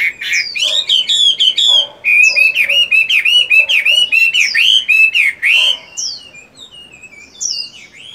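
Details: Morning practice song of a caged fighting-type 'tam hoàng' Chinese hwamei in moult: a long, energetic run of rich whistled notes repeated in quick, varied bursts, fading to softer scattered whistles.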